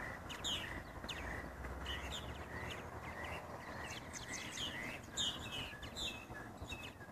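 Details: Purple martins chatter in a busy colony on bird houses in Edmond, Oklahoma, giving overlapping gurgling chirps and rising whistled notes at an irregular pace over a steady hiss of background noise.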